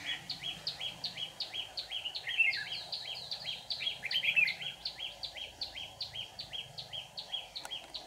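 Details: Red-whiskered bulbul decoy with white cheeks, singing an intense 'ché' song during trapping to draw in rivals; dense, rapid, chirpy notes repeated without pause throughout, over a constant background hiss.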